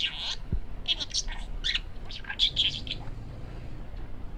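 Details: Male pet parakeet chattering: short bursts of chirpy, voice-like syllables in the first three seconds, then fading to quiet room noise.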